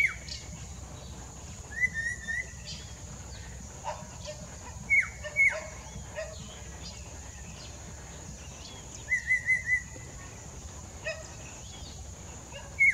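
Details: Collared Palm-Thrush, ringed, singing near Mida Creek: loud whistled phrases of several quick level notes and downward-slurred whistles, repeated every few seconds across the recording, with faint chips from other birds and steady hiss.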